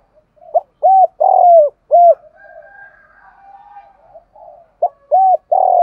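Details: Spotted dove pair, male and female, cooing for luring wild birds: a full hollow phrase of short hoots around one long sliding note, a soft murmuring stretch between, then the next phrase starting.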